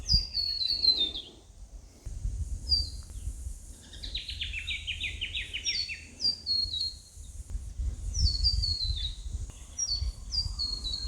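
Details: Variegated Fairy-wrens, several females and a male, in open grassy woodland on a calm, windless morning, giving high, thin descending trills and quick reeling runs, repeated several times, with a low rumble behind.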